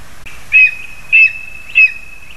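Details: Lesser spotted eagle (Clanga pomarina) at the nest as parents deliver food to their young, 2 August 2020, giving three short, high yelping notes about half a second apart, over a faint steady high tone and quiet background.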